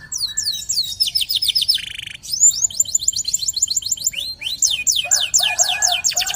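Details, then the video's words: Local canary singing hard, a lure recording for training other canaries: repeated high whistled sweeps in quick tours, a buzzy segment, then new rapid series of sweeping notes with lower chattering underneath. "PANCINGAN KENARI LOKAL GACOR"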